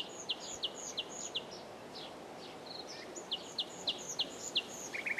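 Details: Common nightingale repeating sharp, clipped notes roughly three per second in two runs, with higher soft calls between and a brief trill at the close, over steady hiss.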